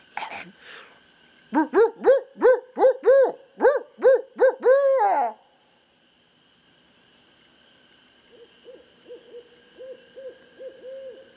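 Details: Barred owl called in by a person: a loud run of about nine rich, arched hoots ends in a long drawn-out note. After a silence, a fainter, quicker series of hoots follows.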